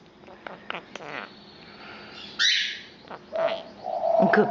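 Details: Captive female Quaker parrot, close to three years old, indoors: faint clicks, then a sudden harsh squawk, then a low, nasal, speech-like phrase rising in loudness toward the end.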